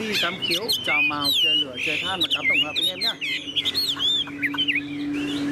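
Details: Chinese hwamei, a tame cage bird, pours out a dense, tumbling song of whistles, trills and rattling notes. A man's voice and a steady low hum sit beneath the singing.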